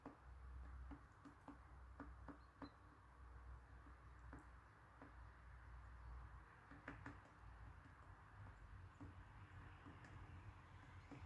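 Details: A great spotted woodpecker that has found bark beetles taps a tree with sharp, irregular knocks, single or in loose pairs every second or so, over a low steady background hum.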